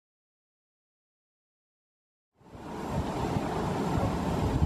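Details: Silence for over two seconds, then wind and water-like rushing noise with no animal calls.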